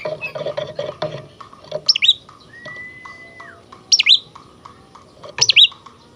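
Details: Oriental magpie-robin singing actively, played as therapy to rouse other magpie-robins and make them spread their tails: after a second of low rumbling noise, sharp swooping whistled notes recur every one and a half seconds, with one long steady whistle between.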